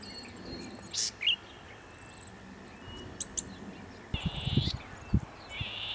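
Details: Male Golden-headed Cisticola at Pitt Town Lagoon, NSW, in October 2017 breeding season, singing near dusk: a single clear note, then harsh buzzy rasps near the end, with thin high calls of other birds and low thumping noise.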